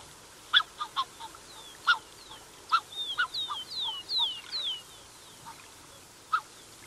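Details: A pair of Black-necked Swans with young cygnets calling nearby: scattered brief honks, then a busy passage of overlapping falling whistles, ending with a lone honk.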